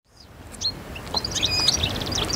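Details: Constantine-type (khalwi) European goldfinch song, 2012: a rapid jumble of bright, tinkling twitters and short high notes, over a low background rumble.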